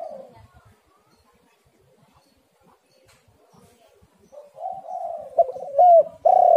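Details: Spotted dove cooing, played as a lure to make other doves call: a near-silent stretch, then soft low coos at the end that build into louder, slightly wavering coos.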